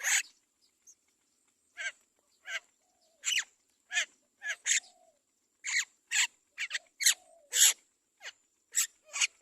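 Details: Great myna chick begging while its mother feeds it carefully; a long irregular series of loud, raspy, hissing squawks, several in quick clusters, with occasional soft lower squeals trailing after them.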